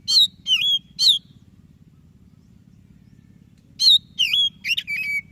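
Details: White-breasted Oriental magpie-robin singing briskly, recorded to prompt lazy birds to sing: three loud whistled notes, a pause of nearly three seconds, then a further phrase of whistles ending in a flat held tone, over a low background hum.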